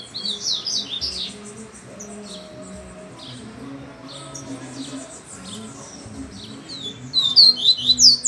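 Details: Double-collared seedeater, a bird said to sing hanging upside down, gives bursts of high, squeaky, rapid notes at the start and a louder run of sharp descending chips at the end, with soft low tones between.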